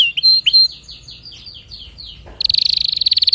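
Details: Singing canary: a few clear whistles and downslurs, then a drawn-out series of soft falling notes, ending in a loud, rapid, ringing trill.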